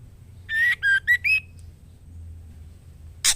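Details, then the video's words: Female white-rumped shama whistling to call a male for mating: four short, clear whistled notes in a quick run, rising and falling slightly. A long quiet gap with low background hum follows, then one sharp harsh burst at the end. "Suara Siulan Murai Betina Gacor Memanggil Jantan"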